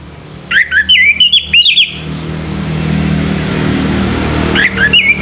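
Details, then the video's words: A male orange-headed thrush in the morning sings a rapid phrase of warbled, slurred whistles, then goes quiet under a rising rumble like passing traffic, and resumes briefly at the end. "SUARA ANIS MERAH PAGI HARI"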